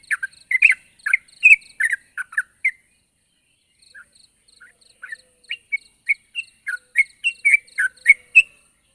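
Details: Sooty-headed bulbul calling a rival: short, varied whistled and chirping notes, irregular and bubbly, with a pause midway before the notes pick up again, and faint high ticking in the background.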